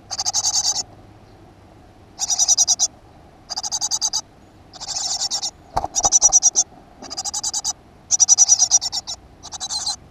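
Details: Great tit recorded at a nest box in a school garden on 7 June 2015. Repeated high, buzzy, pulsed bursts, each under a second long, arrive about every second or so. A brief knocking sound is heard midway.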